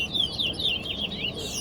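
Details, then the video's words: Large-billed seed finch (towa towa) in a singing contest at Guyana National Stadium, Guyana: short flowing phrase of bright, rolling whistles over a low background of people. "Towa Towa Bird Competition"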